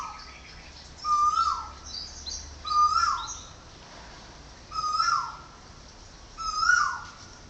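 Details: Woodpecker calling at a home in Chonburi Province, Thailand: four loud, clear calls, each a short rising note that slides quickly downward with a bright overtone, about every one and a half seconds, over a quiet background.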